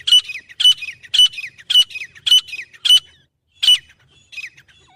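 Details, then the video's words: Grey francolin gives shrill, harsh notes, each ending in a falling slur, in rapid series about twice a second, with one brief pause, in a quiet setting. "Acha Teetar Voice"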